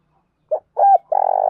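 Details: Spotted dove recording used to stimulate trapping decoys: a short low coo, then a stronger, fuller note and a long, vibrating, buzzy coo held at an even pitch.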